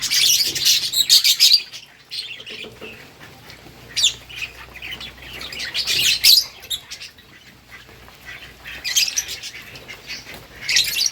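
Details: Lovebirds eating green food, recorded August 4, 2024, make rapid shrill chirps in clustered bursts separated by quieter stretches of rustling and faint background hum.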